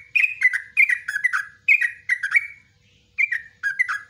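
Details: Yellow-vented bulbul in ropelan song with nguklik and ngecruk notes, a master recording for training bulbuls: clusters of bright, downward-slurred chirps delivered in rapid groups, with one brief gap midway.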